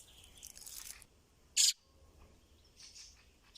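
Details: A recently fledged young fieldfare, unable to fly well, hiding and running in grass and calling for its parents, gives one loud, harsh, high-pitched squeak, with faint hissy rustling before and after.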